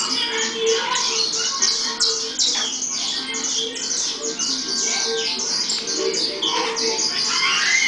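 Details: Saffron finches chirp in a busy, overlapping stream of short, bright, high notes and harsher squawks, the calls crowding together about two or three a second, over a steady low background hum.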